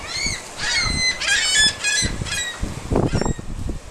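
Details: Gulls being fed, overly friendly: a series of harsh, nasal squealing calls with layered tones, several overlapping in a short burst, followed by thumps and rustling handling noise.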